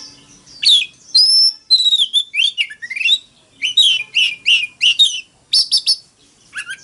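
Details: Oriental magpie-robin in fighting song, loud and continuous, a long pure whistle followed by a steady run of down-slurred, sweet whistled notes about twice a second, ending with a few quick high notes.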